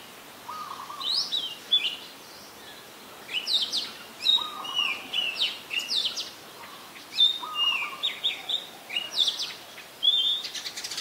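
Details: Brown-throated sunbird (Anthreptes malacensis) in Ubon Ratchathani, Thailand, on 5 February 2020, giving bursts of high, thin, sharp chips and twittering notes in irregular runs, with a low droning hum in the background.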